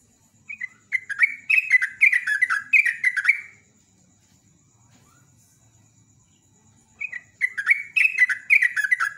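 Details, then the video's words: Gacor yellow-vented bulbul (trucukan) in rapid ropelan, ngecruk style song: a fast bubbly burst of warbled, chattering notes for about three seconds, a pause, then another hurried burst; a faint continuous high whine underneath. "JOGJOG /TRUCUK ROPEL NEMBAK GARUDA"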